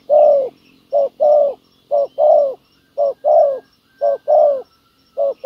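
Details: Spotted dove trapping with a ground decoy: a wild field dove responds with good cooing. Short-long pairs of deep, soft coos repeat about every second over a faint low hum.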